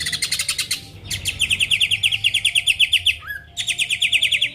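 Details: Greater green leafbird song used to stir rivals into singing: fast, even rattling trills of repeated clipped notes, broken by a brief gap and a low rising whistle before the rattle resumes.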